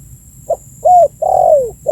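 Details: Spotted dove cooing to draw in birds: a soft first note, a rising-falling coo and a long coo sliding downward, with the next phrase beginning at the end.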